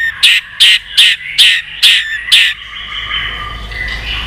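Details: Excited white-rumped shama, wild-caught and flicking its tail constantly during contest singing, giving six loud harsh 'tchak' notes, each about half a second apart, before fading into soft background warbling.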